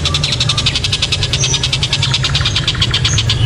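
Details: Kingfisher, known locally as tengkek buto, calling loudly and sharply, used as master audio to provoke other birds: a fast, even series of sharp, metallic notes, about seven a second, over a steady low rumbling hum.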